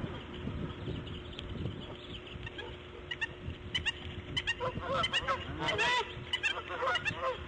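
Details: Bald eagle female during laying of her fifth egg, 8:40 AM, March 1, 2014. After a quieter start, scattered clicks lead into a burst of rapid, squealing, high harmonic chirps in the second half, above a steady low hum.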